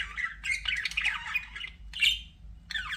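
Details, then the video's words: Pet budgerigar warbling: a run of scratchy rising and falling chirps, a short pause, then a sharp squawk and a final descending chirp, over a faint low hum. "BUDGIE SOUNDS"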